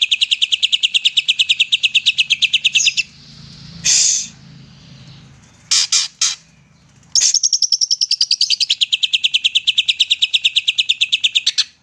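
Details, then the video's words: Greater green leafbird delivering song meant to provoke lazy birds; steady rapid chirping at high pitch, interrupted by a few harsh rasping bursts, then a long descending series of fast repeated notes. "Cucak ijo gacor nembak"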